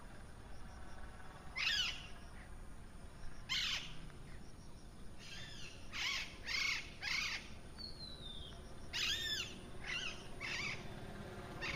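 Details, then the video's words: Parrot calling in the morning: a series of about ten loud, harsh, arched squawks in short bursts, some in quick pairs and triples, plus one thin descending whistle midway, over steady low background hiss. "Parrot Sounds Morning View"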